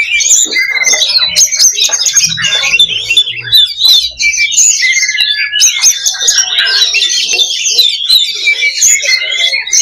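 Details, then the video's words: Kacer, the Oriental magpie-robin, in a simulated fighting song meant to build fighter mentality: a nonstop torrent of high, fast twittering and warbled trills with scattered short whistles and hard ticks, barely pausing. "SIMULASI LOBA BURUNG KACER || MENAIKAN MENTAL TARUNG / FIGHTER"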